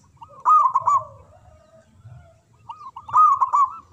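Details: Zebra dove of local stock with a big voice, manggung and ngayer song used to stir silent doves. Two loud rolling coo phrases, each followed by a lower, drawn-out falling coo, with a quiet gap between.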